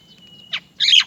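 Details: Baby Great myna in the nest crying for its mother to feed it: a thin steady whistle, then two loud harsh raspy bursts, the second longer and noisier.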